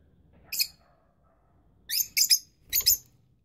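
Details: Rosy-faced lovebirds, young birds with parents incubating: one shrill chirp, then a quick run of three harsh chirps and a closing double chirp, all high and bright over a faint low background.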